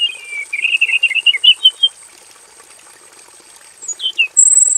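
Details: A robin in a simple aviary cage sings a quick run of bright, varied chirps and trills, pauses, then adds a few high sharp notes, while a steady high insect-like hiss runs throughout.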